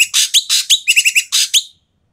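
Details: Loud, rasping calls of an Asian pied starling, a noisy bird used to trigger lazy starlings to call; a tight string of about ten grating bursts and clipped whistled notes within under two seconds, then silence.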